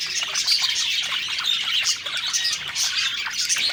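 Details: Multiple budgerigars eating and singing cheerfully, making nonstop bright twittering with scattered short whistles and squeaky notes, evenly loud across the clip.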